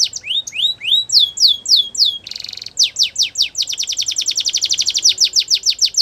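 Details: Spanish Timbrado canary singing a training song: slow upward-sweeping whistles, then descending notes, a brief buzzy burst, and a fast, even roll of sharp descending notes.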